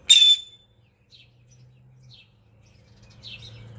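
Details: In a front-yard tree holding about 20 sparrows, one loud, harsh sparrow chirp opens, followed by three fainter chirps from farther off over a low background hum.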